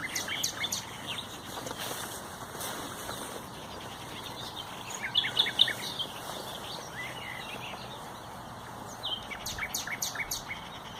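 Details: Common nightingale song recorded 30 April 2021: fast runs of dry, clicking notes open and close the phrase, with a brief high twitter in between, against a steady chorus of other birds.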